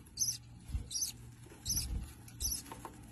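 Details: Australian budgerigars kept for breeding, giving very high, thin, short squeaky calls in regular pairs roughly every three-quarters of a second, with soft low thumps and rustling below.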